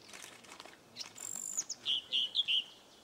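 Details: A Firethroat singing in Sichuan on 14 May 2014 gives a thin, high, sustained whistle, then four or five quick, clear lower notes in a run lasting about two seconds.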